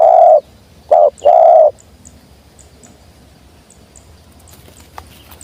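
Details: Spotted dove, wild, coming down with the sweet 'jergot' call: a low coo, a short note and a longer held coo, then quiet with faint distant chirps.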